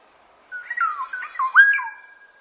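A black-naped oriole gives a rich, fluty whistled phrase of slurred notes, dipping and rising over about a second and a half. No other sounds are heard.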